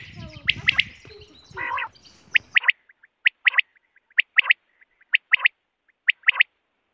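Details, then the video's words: Quail (batair) in a natural environment, recorded for hunting: after a noisy, rustling opening with a brief buzzy note, crisp high triple-note calls repeat about once a second over silence. "Quail voice //Quail sound //Batair ki awaz"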